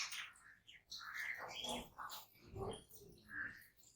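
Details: Jungle babblers calling, with harsh, nasal, squeaky notes overlapping in a near-continuous chatter for four seconds, several birds apparently answering one another; a soft background rumble runs underneath.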